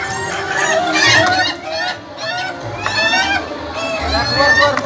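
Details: Laughing chickens (ayam ketawa) crowing at a final contest round: rapid, broken, harmonic cackling notes in rising and falling bursts, with a judge's voice counting scores and calling participants nearby.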